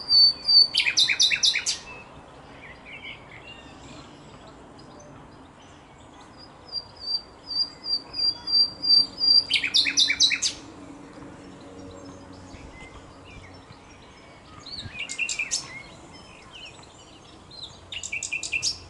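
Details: A common nightingale (Luscinia megarhynchos) sings loud phrases of pure, high whistles that break into fast, rattling bursts of notes.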